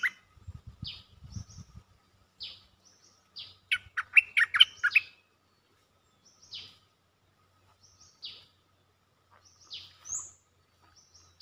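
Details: Cream-vented bulbul giving a mate-seeking call: scattered thin, high whistled notes around a dense second-long burst of rich bubbling chatter, with a low rumble near the start.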